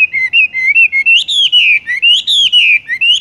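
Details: Horsfield's bush lark singing in the rolling style called "tung roll gantung": a continuous run of whistled, warbling notes with rising and falling slurs, broken into short bursts about once a second, clean and without other sounds.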